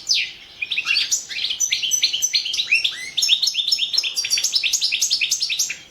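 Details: European goldfinch competing in a goldfinch song world championship: a long, lively stream of sharp chirps, rising slurs and trills, dense and loud without pause.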